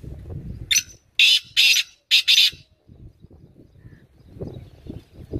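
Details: A black francolin gives a rasping call of five grating, high notes packed into under two seconds, set against low rumbling background noise that continues after the phrase.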